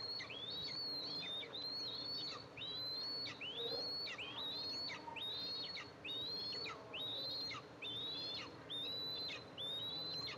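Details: Eastern imperial eagles at a nest with two eaglets as the mother arrives to feed them, filmed by a nest camera on July 14, 2024. A thin, high whistle rises and then flicks downward, repeated about once a second, with steady background hiss.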